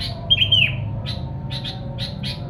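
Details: Sooty-headed bulbul singing to lure wild bulbuls: an opening clear, downward-sliding whistle followed by spaced, buzzy chirps, with a faint low hum behind.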